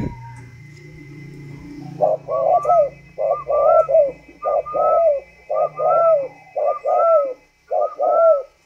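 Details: Tame spotted dove from northern Vietnam with the thunder-voice cooing style, giving seven two-part coos, each a low throaty note then a higher rising-falling note, repeated about once a second after a quiet start.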